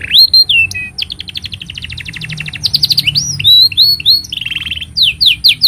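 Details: Singing canary used as master song for training young canaries and prompting silent ones: fast varied song of buzzy trills, rising whistled sweeps and rapid repeated notes, loud and continuous, with a steady faint high hum behind.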